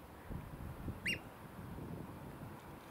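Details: A single loud, shrill piping note from a Eurasian oystercatcher (Haematopus ostralegus) on the Aberdovey foreshore rings out once over a steady low rumble of wind and surf.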